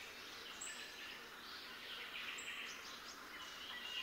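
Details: Captive pin-tailed whydah, an African species, at a bird farm in Sidoarjo, East Java, Indonesia, sings thin, high chirps and sharp squeaky notes, uneven and quick, over a steady background hiss with other small birds chattering.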